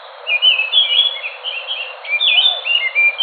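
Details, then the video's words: Rapid warbling from an Enggano thrush, the Indonesian island songbird: twisting whistled notes and short trills tumbling one into the next without pause. "Anis nusa tenggara (anis macan )suara asli"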